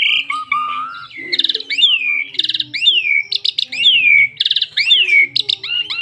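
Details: Asian pied starling singing to prompt other starlings to sing, mixing a low rising whistle, harsh rattling bursts and repeated descending slurred whistles about once a second, with a faint low hum underneath.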